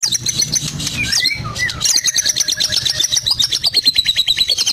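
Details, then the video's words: Caged Medan-type white-rumped shama singing a song stuffed with imitations of lovebird, canary and cililin: a rattling opening, a few sliding whistles, then a fast, steady string of high clipped notes repeated several times per second. "Murai BATU MEDAN FULL ISIAN LOVEBIRD, KENARI, CILILIN | SHAMA BIRD"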